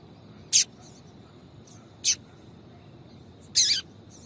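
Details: Calling female Yellow-bellied seedeater, whose calls are meant to stimulate the male: three brief, high, bright chip notes spaced one to one and a half seconds apart, the last slightly longer and rougher, over soft hiss.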